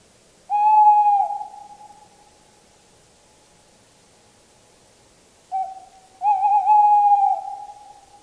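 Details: Two song phrases from a tawny owl about five seconds apart. The first is a long hollow hoot fading out. The second is a short note followed by a longer, quavering, sustained hoot.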